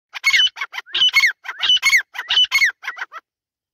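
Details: Female grey francolin (teetar) calling: a fast series of harsh, squeaky notes in grouped bursts, some with sliding whistled tops, repeated about every half second and ending in shorter, softer notes.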